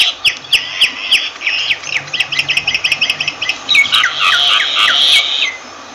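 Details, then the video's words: Myna calling with rapid runs of short, sweeping whistled notes, then a harsh, drawn-out squawking burst mixed with rising and falling whistles near the end. "Myna Bird sound Voice"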